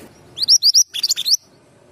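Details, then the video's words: Male Pied Bushchat in full, lively song: a loud phrase of high rising whistles, three clear upswept notes followed by a quicker, slightly lower run of short chirps. "Mantenan gunung jantan gacor"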